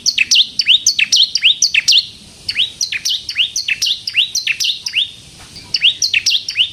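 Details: Bar-winged prinia giving its lively crystal song, used as a lure to make other prinias sing; bursts of sharp high notes and curving swooped whistles in groups, broken by two short silent pauses.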